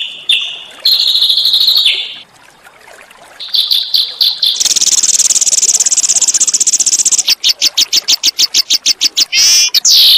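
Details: Small songbirds in training material for white-rumped shama: whistled high phrases, then a long buzzy trill, then rapid pulsed high notes ending in a fast rattling flourish.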